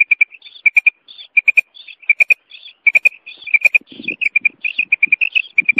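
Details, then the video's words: Dense run of clipped three-note calls from a female common quail, alternating with buzzy nasal bursts; a low rumbling noise appears midway. "New mada batair ki Kamal awaz"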